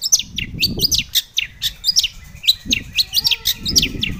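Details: Long-tailed shrike in full song, played to goad other shrikes into answering: quick chirps, down-slurred whistles and scratchy notes tumble one after another, with a faint low rumble beneath.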